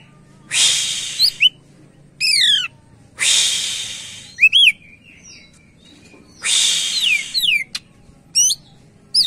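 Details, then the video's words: Greater green leafbird singing actively in captivity, its song used to lure and train other birds: harsh rasping bursts alternate with sweeping, bouncing whistled notes and short sharp chips, repeated three times over several seconds. "Burung Cak Ijo Gacor cocok buat pancingan"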